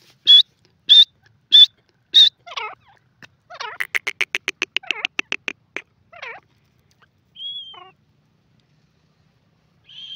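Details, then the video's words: Grey francolin calling: four loud, high whistled notes evenly spaced, then scratchy notes and a fast rattling run of clipped pulses. A few softer whistles and scratchy notes trail off after it. "grey francolin call pheasant birds awaaz"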